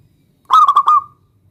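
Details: Single phrase from a local zebra dove calling a rival: four quick staccato coos running into a longer fading final note, in a quiet setting.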